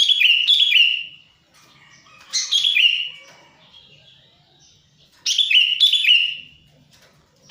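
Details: Lure call of a sooty-headed bulbul used to attract wild birds and to prompt bulbuls that stop singing: loud, liquid, bubbling whistled phrases that slur downward, repeated in pairs with short pauses.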